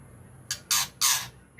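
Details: White-rumped shama in 'ngukluk' style: three rough, hissing, broadband bursts spaced about a quarter second apart, then the start of a higher note at the end, in a quiet setting.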